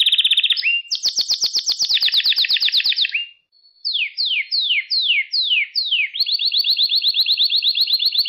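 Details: Canary song from a recording made for training young pet canaries: a trill, a fast rattling roll, a short pause, six sweeping descending whistles, then a long even rapid trill.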